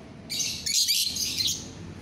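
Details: Lovebird of the euwing green biola variety, recorded 24 November 2021, giving a burst of shrill, high-pitched chattering chirps that lasts just over a second, with a short pause in the middle.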